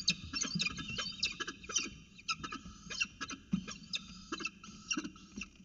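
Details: Peregrine falcons feeding at a nest box in Orange on 29 October 2018 at 9.36 am. Chicks fight over prey while an adult steps in to feed them. Steady, shrill, grating calls overlap and repeat irregularly throughout, with low thumping beneath.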